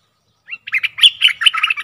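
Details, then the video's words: Streak-eared bulbul singing a quick phrase that starts with a single rising note, then breaks into fast, jumbled, bubbly chirps. "เสียงนกดอกแตงEp.104 Birds sounds"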